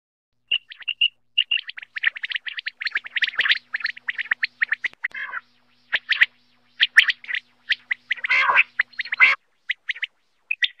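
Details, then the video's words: Quail, common quail, as a hunting lure in Pakistan: dense runs of short sharp chirps and clipped notes, rapid and irregular, with a few harsher bursts between, strong and close throughout. "Quail sound 22,ll hunter batair ki awaz ll Quail singing Shikar"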